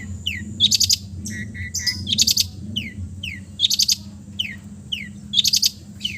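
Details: Long-tailed shrike from East Java, relaxed chatty song full of mimicked fills, played as therapy for silent birds: bursts of buzzy high notes with falling slurred whistles and short lower chirps, repeating about every one and a half seconds.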